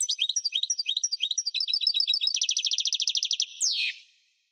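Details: Singing European goldfinch of subspecies parva: bright bouncing twitters speeding up into a rapid, even, buzzy trill, closing with a harsh falling slur and quiet.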